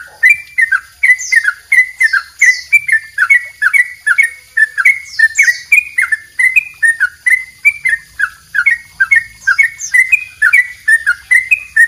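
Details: Master recording of a yellow-vented bulbul delivering its long double rapid song: continuous, busy whistled notes bending down and up in quick succession, with occasional high falling slurs above.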